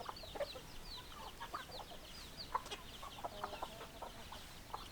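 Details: Hens giving scattered clucks while many small birds chirp in thin, high, sliding notes throughout, with a faint steady hiss.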